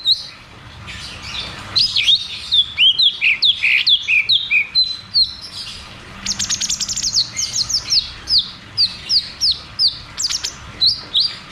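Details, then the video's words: Long 'ngeroll tembak' roll from a cucak cungkok, used as a prompt for birds that have gone quiet: steady series of sharp falling whistles, about two per second, with a denser, buzzy stretch midway. "Therapy dan Pancingan Burung Macet Bunyi || Cucak cungkok Ngeroll tembak"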